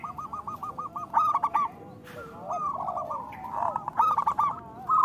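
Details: Local zebra dove song, used as a lure to get quiet doves to sing. A run of short evenly spaced clipped notes opens into bursts of rolling trilled cooing, with lower drawn-out coos and brief pauses between bursts.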